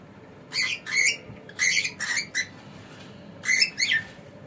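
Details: Male pet cockatiel squawking in harsh, raspy doublets, three clusters of two or three notes each, set against a quiet room background.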